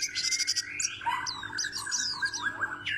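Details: Pleci, or white-eye, known for its loud voice, pours out a dense run of bright twitters, quick upslurred notes and chattering trills with no pauses, over a faint background hum.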